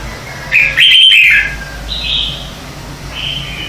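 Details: Lure recording from 2019 of red-whiskered bulbul competitive morning singing for training caged birds: a loud, rolling warbled phrase, then two quieter high whistles about a second apart.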